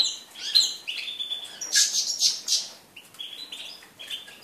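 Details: European goldfinch, 4 February 2018: bright, high-pitched twitters and liquid chirps in quick bursts, including a harsher buzzy passage midway.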